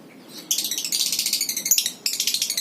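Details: Lovebird ngekek, a long rattling chatter played to get other lovebirds singing: rapid high, harsh pulses at about a dozen per second, running over a second, a brief break, then the rattle starts again.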